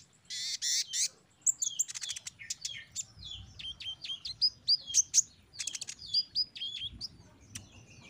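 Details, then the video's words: Sunbird song played to untrained caged birds to get them singing. A loud buzzy opening, then a lively rapid chatter of high chirps, twitters and sharp squeaky notes at about four per second. "TERAPI KONIN BAHAN OMBYOKAN JADI CEPAT GACOR DENGAR KOLIBRI BONGKAR MATERI PASTI NYAUT SEMUA"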